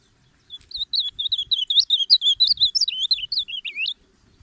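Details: Reina mora, the ultramarine grosbeak, sings a rapid, sweet warble of looping high notes, each slurred up and down, packed into a three-and-a-half-second phrase that falls lower toward its close before stopping cleanly.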